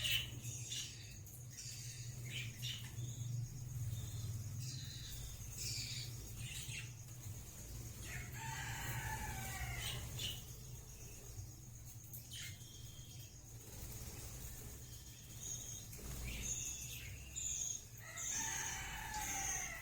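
Budgerigars chirp and chatter in quick, scratchy bursts over a steady low hum.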